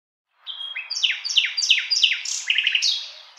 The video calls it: Nightingale Song